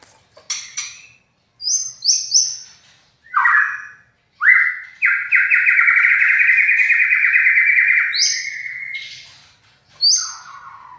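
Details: Loud, harsh white-rumped shama song: short high whistled sweeps and falling notes in separate bursts, then a long rasping trill of about four seconds, followed by more sharp whistled phrases. No other sounds.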